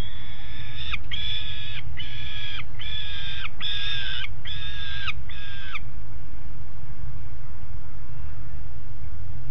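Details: Seven rhythmic wailing calls from two juvenile peregrines on the nest grate, Alphen aan de Rijn, 17 June 2016, 13:30, each slightly falling at its end, in a steady series that stops abruptly, leaving low background hum.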